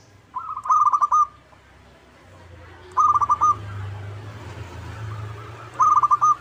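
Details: Zebra dove of local stock, played as a lure to provoke a rival to reply: three short pulsed, rolling coo phrases about every two and a half seconds, over a low steady hum.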